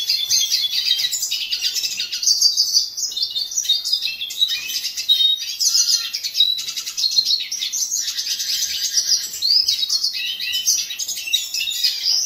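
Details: Hooded siskin (Spinus magellanicus) singing in an aviary: a rapid, continuous twittering warble, high and bright, laced with buzzy trills and quick slurred notes, unbroken for the whole stretch.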